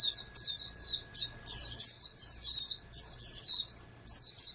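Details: Captive-bred oriental white-eye, reared as a prospective national champion songbird, delivering shrill rapid twittering phrases in short bursts separated by brief gaps, over a faint low hum.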